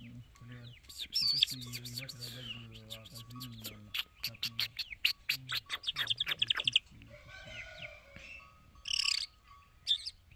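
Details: Irani Jal bird singing a long phrase of fast, clicking, rattled notes that speed up, then pause before sharp bursts of bright chatter, with a low steady hum beneath.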